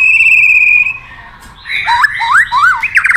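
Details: White-rumped shama in a long, many-voiced training song: one pure whistle held for nearly a second, a short pause, then quick rising and falling whistled slurs.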